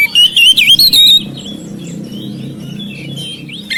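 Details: Oriental magpie-robin (kacer) kept as a house bird, singing to stimulate silent birds; about one second of bright, twisting whistled notes, then quiet, faint background hum.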